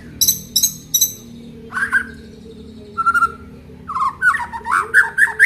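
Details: Full song of an Aceh white-rumped shama showing off its isian repertoire: high metallic ticking notes, a short whistled phrase and a clear whistle, then a fast warbling burst of varied notes.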